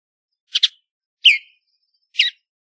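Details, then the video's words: Western bluebird uttering three brief notes: a doubled raspy chirp, a clearer downward-slurred chirp, then a short harsh chirp, all within about two seconds. "Western Bluebird Song, Western Bluebird Call!"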